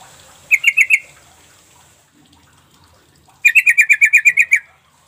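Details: Sooty-headed bulbul calling, played to draw responses from reluctant birds: a short run of four quick sharp notes, a pause of two seconds, then a longer rattling series of about ten notes.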